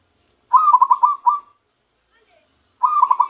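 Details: Zebra dove, trapped from the wild, beginning to give its natural song: two phrases of rapid, bubbling coo notes at a steady mid pitch, separated by a silent pause of over a second.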